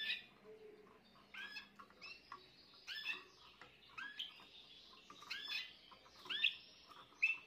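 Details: Spanish Timbrado canary, a young bird of this year, 14 June 2023, delivering a continuous chattering song of rolling, metallic phrases and sharp bright notes, with steady background hiss.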